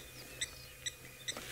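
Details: On a safari live stream, a bird alarm-calls at a nearby male animal, giving three sharp, high, clipped chips evenly spaced about half a second apart, over a faint low hum.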